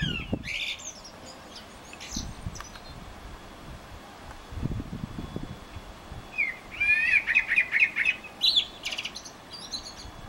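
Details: Eurasian blackbird in Utrecht, 9 June 2014, delivering a bright twittering, slightly rising phrase late in the passage after scattered faint notes, accompanied by low rumbling thuds and background noise.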